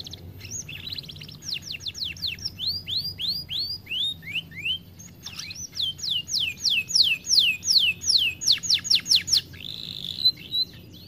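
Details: Overweight canary, described as lazy about singing, produces a long phrase of rapid slurred whistles and trills at varying speeds, ending in a buzzy note.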